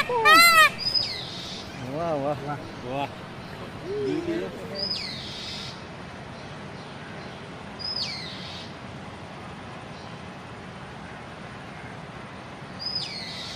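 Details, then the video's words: Dancing peacock at the Statue of Unity Jungle Safari: one loud, harsh, strongly harmonic cry opens, then a few softer wavering calls, while thin high chirps from other birds recur every few seconds over steady background hiss. "Beautiful Peacock Dance & Sound Natural"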